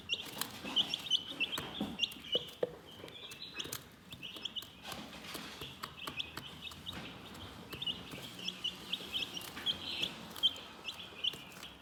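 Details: Calm chickens give a long stream of quick, high-pitched peeping notes, several birds overlapping, alongside intermittent clicks, pecks and light background rustle.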